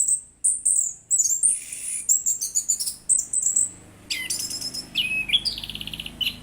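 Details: Orange-headed thrush in vigorous, melodious song: thin, very high whistled notes repeated in quick succession, then a louder, harsher burst of rich notes and a fast chattering series of short repeated elements.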